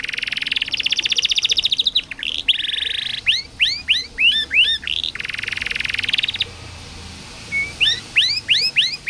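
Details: Energetic canary song used as tutoring for young or silent canaries: opens with a fast rattling buzzy trill, then a string of sharp rising whistled sweeps, another dense rolled trill, and more upswept notes with a brief steady tone.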